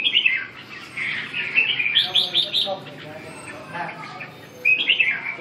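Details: Chào mào, the red-whiskered bulbul, pouring out rapid liquid chirps and warbles in tight bursts, pausing briefly before a final flurry of bright notes over a steady background hiss.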